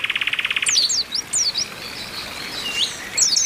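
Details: Oriental white-eyes in a group chorus used as training to get birds singing; a fast buzzy rattle opens, then high thin slurred chirps sweeping downward, repeated with short gaps.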